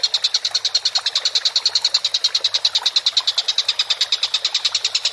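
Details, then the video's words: Tengkek buto (Collared kingfisher) from a masteran bird-training recording, calling busily: a continuous, rapid stutter of rasping notes at around nine per second, steady in pitch and volume. "MASTERAN BURUNG TENGKEK BUTO GACOR"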